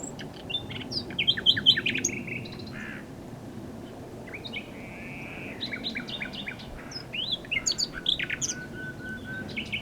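A common nightingale sings rich, varied phrases of rapid chirps, clicks and a long whistled note, pausing briefly between bursts over a low rural hum.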